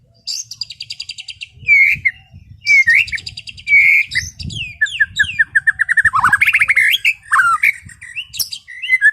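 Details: Relaxed 'ngeplong' afternoon song from a white-rumped shama: quick pulsed trill opening into loud slurred whistles, then a long rambling run of varied twittering, rising and falling notes with faint low background rumble.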